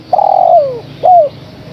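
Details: Female spotted dove calling for a male: a long, even, mellow coo that sags downward at its end, followed by a short upward-arched closing note.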